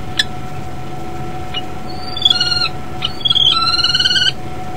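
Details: Common kestrel at the nest on 14 January 2012, captured by nest camera as the male calls for his mate; a few faint clicks, then two drawn-out, whining, harmonic high calls in quick succession.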